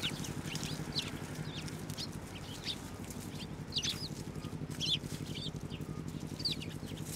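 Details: Eurasian tree sparrows fed by hand at a Tenmangu shrine, 9 December 2023; thin, fairly quiet chirps scattered irregularly over a low background drone.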